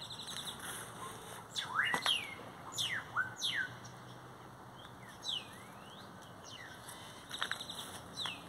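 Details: Great-tailed grackles singing by a Brugmansia tree, giving sharp upswept whistles and squeaky downslurred notes in irregular bursts, a short cluster near the start and more near the end, over a constant high-pitched background hum.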